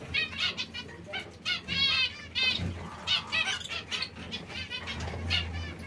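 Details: Zebra finches at seeds and fresh salad; a quieter run of repeated nasal, buzzy notes at a fairly even pace over low background hum.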